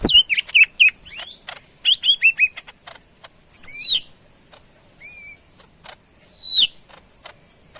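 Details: Greater green leafbird, known as cucak ijo Medan, in full song: rapid chattering notes, then loud long whistles sweeping downward, with short pauses between phrases.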